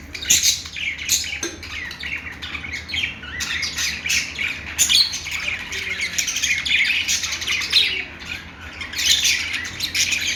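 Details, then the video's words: Budgies chirping in long, busy, overlapping chatter of rasping and twittering notes with occasional sharp clicks, steady throughout. "budgie chirping sounds"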